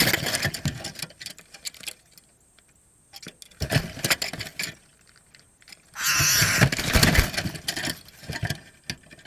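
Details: Clicks, crunching and handling rustles, quiet gaps, then a loud burst of broadband noise near the end, with no animal calls.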